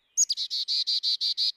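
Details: A Carolina Chickadee, a shy, fast, very small yard and feeder bird around Chevy Chase, gives its 'chicka-dee' song: two thin, high introductory notes, then eight buzzy, even 'dee' notes in quick succession within about a second and a half.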